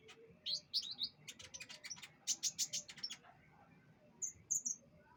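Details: Canary singing during pengembunan, dew exposure: a lively string of sharp, high, staccato notes in quick succession for about three seconds, then a pause and a couple of short high whistles.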